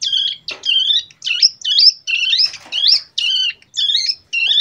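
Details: Young Bar-winged prinia, over two months old, caged and tutored with a recording of adult prinia song and rattling 'bren AK47' phrases, practising its copied song. Loud, buzzy, warbling chirps at a high pitch, repeated in quick bursts about twice a second.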